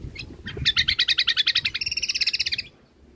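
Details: Greater green leafbird (cucak kombo) in full song, recorded at the end of 2022 as a master for training caged birds. A fast, steady volley of about twenty sharp, repeated notes shifts to a higher-pitched series midway, then stops abruptly.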